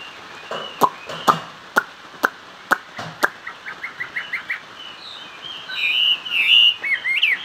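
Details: Sharp clicking taps open the recording, followed by short soft notes and then a burst of loud, varied whistling from a Chinese hwamei singing hót xòe style.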